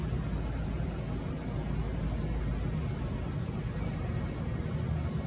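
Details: Steady low rumble like distant traffic or machinery fills the whole stretch, with no animal voice heard.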